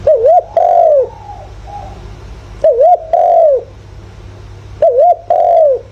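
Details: Spotted dove decoy calling to stimulate wild doves, 'giọng thổ' style: three repeated phrases, each a quick double wavering coo then a long downward-sliding coo, roughly every 2.4 seconds, with soft distant cooing and low hum.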